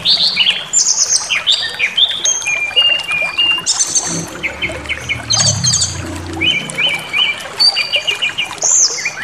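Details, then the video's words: Brown-chested jungle flycatcher singing to provoke other birds into rage and a full repertoire: varied high clear whistles, slurred and trilled phrases in quick succession, with a faint low murmur beneath. "Pancingan Emosi SRDC Awas Ikut Ngamuk Bongkar Materi"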